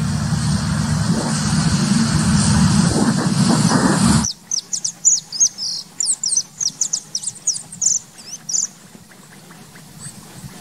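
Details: White-tailed hawk (Geranoaetus albicaudatus) in Uruguay, a large raptor that arrives for the summer, gives a quick series of about a dozen thin, high, sharp notes after four seconds of loud wind or engine rumble.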